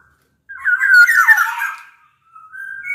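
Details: Black-naped oriole from Sumbawa, a large-bodied local bird used as a lure to get lazy orioles singing: one fluty, slurred whistled phrase wavering down and up, then a thin drawn-out whistle rising at the end.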